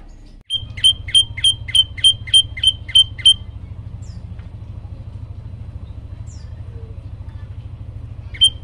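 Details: Olive-backed tailorbird singing vigorously: eight sharp, high chips in quick, even succession, then a pause with a steady low engine rumble beneath, and a single chip at the end.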